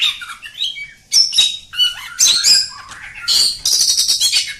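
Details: Oriental magpie-robin of the village type in long, steady song. Rapid, varied phrases of sharp chips, rich rising and falling whistles and dense high trills follow each other almost without a break.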